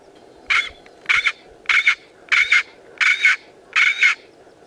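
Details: Southern black korhaan, a male standing on a rock in the middle of a field, calling in defence of his territory: six harsh, rasping double-pulsed croaks, each about a third of a second, repeated roughly every 0.6 seconds.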